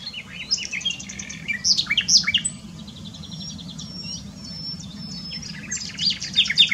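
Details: Varied nightingale song recorded at Dohr, Eifel, Germany, mixing quick repeated notes, slurred whistles, a buzzy stretch and a final rush of high notes.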